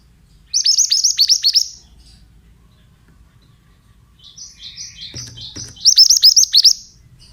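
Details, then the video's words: Pied bushchat (mantenan), played as therapy and lure sound so untrained birds answer: a rapid burst of about eight sharp, down-slurred whistled notes, a quiet pause with soft chatter, then a second fast burst. "Terapi Suara Burung Mantenan Bahan Jamin Langsung Nyaut"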